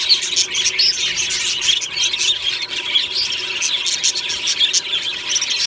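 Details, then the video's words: Morning chorus of a budgerigar aviary colony, happy singing and chirping: a steady wash of many overlapping shrill chirps, squeaks and warbles, busy and unbroken for several seconds, with a faint steady hum beneath. "Beautiful Budgie morning happy singing and chirping sounds"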